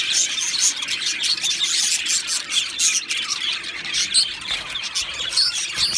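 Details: Two male Australian budgies keep up a loud, unbroken stream of high chirps, squeaks and warbled twitters with no pauses.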